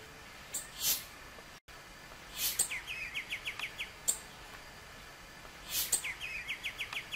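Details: Juvenile white-winged becard vocalizing: a quick run of short, clipped notes, about seven evenly spaced, given twice, between loud rustling bursts.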